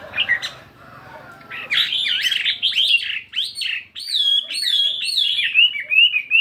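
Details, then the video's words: Morning voice training of a caged 72-gram fighting Chinese hwamei: after a few soft notes, loud bouncing whistled phrases follow, repeated quickly and varying in pitch. "Tiếng Chim Hoạ Mi Chiến 72gam Hót Đảo Giọng Rất Hay."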